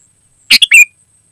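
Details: Single clear phrase of a sooty-headed bulbul: a harsh bubbly burst, a short note, then a slurred falling whistle, with silence around it.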